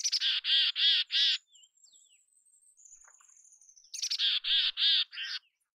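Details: Mountain chickadee in natural habitat giving two loud series of harsh, buzzy notes, each a few quick clicky notes followed by four or five even, drawn-out 'dee' notes. A faint thin high whistle runs through the quiet gap between the series.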